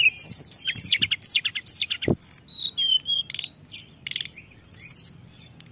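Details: Mixed lure song of tledekan gunung: cascades of high twittering notes, a single sharp click, long thin whistles and rattling trills, over soft background rumble.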